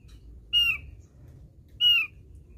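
Javan grey-throated white-eye giving two harsh, slightly descending squawking notes about a second apart, with a low background rumble.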